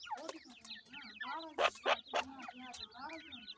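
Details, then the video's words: Grey francolin chicks, locally irani teetar, giving a dense chorus of short high chirps and downslurred peeps, many overlapping, with louder broadband bursts near the middle and low murmuring underneath. "irani teetar chicks voice, irani teetar speaking,grey francolin bird chicks"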